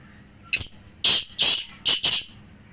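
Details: Black francolin, one of three birds used to prompt a pet francolin to call: a sharp lead-in note followed by four raspy, grating notes delivered in two quick pairs.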